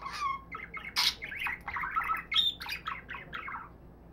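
A budgerigar warbles a rapid, chattering run of squeaks, clicks and buzzy chirps.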